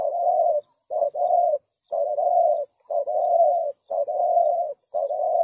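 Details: Spotted dove cooing, a call used to lure doves into traps: mellow low notes in rounded phrases, each a quick double note followed by a longer purring coo, repeated roughly every second against quiet surroundings.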